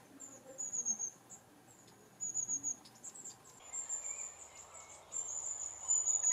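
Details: High, thin 'tsee-tsee-tsee' contact calls of long-tailed tits keeping a moving flock together from tree to tree, heard as four short bursts of rapid sibilant notes spread evenly across the recording over a soft background hiss.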